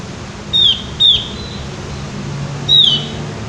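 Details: Javan white-eye giving three high, thin whistled notes that slide downward, two close together and one after a pause, over a faint low hum.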